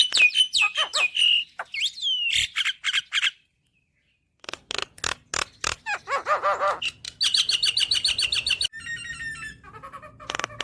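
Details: Black-winged starling singing energetically, a full fill-in song used for training caged birds: sliding whistles and harsh broadband notes, a brief silence, then quick rattling pulses, nasal wavering notes and a fast high trill.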